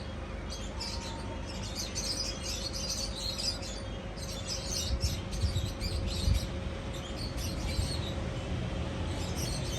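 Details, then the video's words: Lovebird chicks at sunset in Pakistan, with some birds in a cage and some outside it, give thin, high chirps in rapid bursts every second or two, over a steady low rumble and a constant hum. "love birds calling sound | love birds chick sound"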